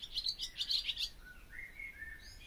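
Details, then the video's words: Barn swallow song: a quick run of bright clicking twitters up high, then softer descending slurred warbles, over low background hiss. "O canto da ANDORINHA-DAS-CHAMINÉS/BARN SWALLOW SONG (Hirundo rustica)"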